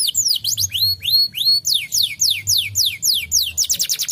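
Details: Canary song as prompting for lazy canaries: arched rising-then-falling whistles, followed by a series of evenly spaced descending slurs and a closing quick trill.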